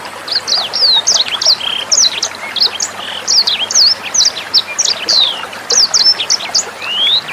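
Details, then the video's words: Sanger bird song used as a tutor recording for training captive songbirds and young sangers: rapid, very high thin chirps and short upward and downward whistled slurs in quick bursts, over a steady hiss of trickling water. "SUARA MASTERAN BURUNG SANGER NEMBAK JERNIH"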